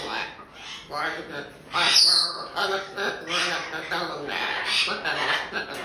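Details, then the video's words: A hyacinth macaw at a parrot rescue talks, chattering in rapid, speech-like phrases with a short, shrill squawk midway, a near-continuous stream of mimicked talk. "Funny Hyacinth Macaw Talking like Crazy"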